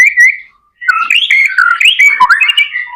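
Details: White-rumped shama in vigorous song, a lure to prompt other shamas to sing: a short double whistle, a gap, then a rich unbroken stream of warbled, sliding whistles and chatters.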